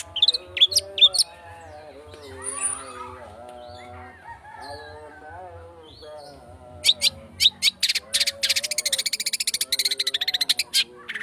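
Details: Lure recording of long-tailed shrike speed rapet song: a few sharp high notes, several seconds of softer warbling and low wavering tones, then an accelerating burst of rapid dry clicks and chatter, very fast and continuous.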